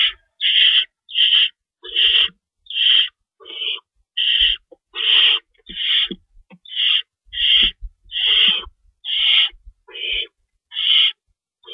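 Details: Owl nest at feeding time, 3:53 AM on March 25, 2012, with two rabbits stored and prey being shredded for the young. A steady run of about fifteen short, rasping hisses repeats faster than once a second, with scattered soft scuffles.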